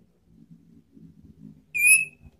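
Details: Orange-headed thrush lure call meant to draw rival birds: a low murmuring background, then one loud clear whistle that rises gently and trails off near the end.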